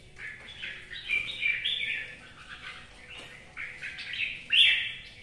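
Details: Red-whiskered bulbul in rainy weather giving a run of fluty, warbled phrases that rise and fall, fairly continuous, with a stronger bright note near the end and a light noisy background.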